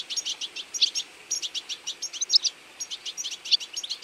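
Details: European goldfinch feeding flock in autumn: dense, high twittering chirps from several birds, rapid and overlapping, in quick bursts throughout, with short brighter tinkling notes standing out; no other clear sounds.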